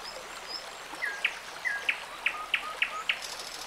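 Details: A common nightingale sings by a forest stream in the Irish countryside: a quick series of short, sharp chirps and slurred notes, about three a second, over the steady rush of the stream.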